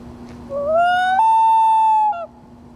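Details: A common loon that crash-landed in a parking lot after midnight and could not stand gives one long, mournful note that slides upward, holds about a second, then breaks off, over a low steady hum.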